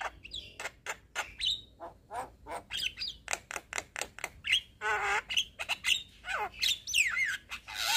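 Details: Young Javan myna in vigorous song, played to tutor and excite other mynas; rapid harsh notes interleaved with sweeping whistles and a rough, wavering squawk.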